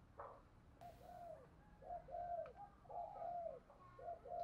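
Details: Lure spotted dove in the thúc gù gáy gọi calling style, heard faintly over steady background hiss: soft, mid-pitched coos repeated roughly once a second, each slightly falling, with a brief noise burst near the start.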